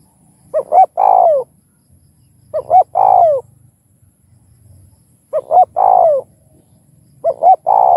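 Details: Spotted dove giving its coo-call, played to spur other doves to sing. Four phrases, each a pair of short notes followed by a sustained falling coo, about every two seconds, over a soft low rumble.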